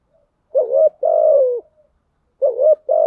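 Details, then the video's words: Spotted dove lure coos: a quavering two-part note and a long level-then-falling coo, then the phrase begins again, all clear against silence. "Tiếng chim cu gáy mồi giọng lôi cuốn hấp dẫn đủ bài[ THÚC GÙ , GÁY GỌI ] dùng kich bổi nhanh nổi"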